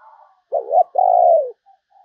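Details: Caged decoy spotted dove luring wild doves: a single phrase of a wavering double note, then a long, even, gently descending coo, with soft faint cooing before and after.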